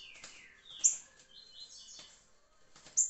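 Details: A Green-winged Saltator gives clear, falling whistled notes in a short phrase, with sharp high chips at about two-second spacing over faint background noise; recorded 26 July 2023.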